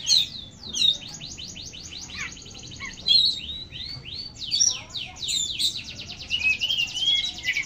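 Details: Oriental magpie-robin in full, energetic song: fast series of sweeping upslurred whistles and buzzy rapid trills, mixed with bright chirps, delivered almost continuously.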